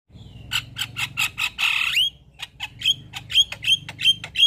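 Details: White-eyed Javan myna singing constantly, full of mimicked fills and nodding as it sings: a run of sharp clicks and harsh bursts, a broad rasping note, then a string of short rising whistles at a quick pace.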